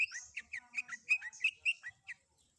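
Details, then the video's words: Long-tailed shrike, cendet, song with combined fill-in phrases used as training material: rapid series of about nine sharp, slurred chirps with a shrill high squeal at the start, fading out after two seconds. "Suara Isian Kombinasi Cendet"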